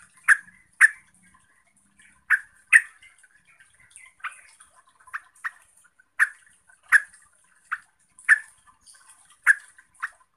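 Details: A yellow-vented bulbul sings to stir up rival bulbuls. Short, punchy, chirping notes come in loose pairs and groups across the clip, with a constant thin high-pitched hiss in the background.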